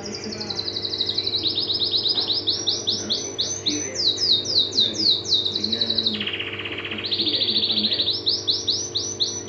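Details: Canary giving a lively, energetic song of high rolling trills, with rapid repeated notes shifting pitch in stages, over a steady low hum.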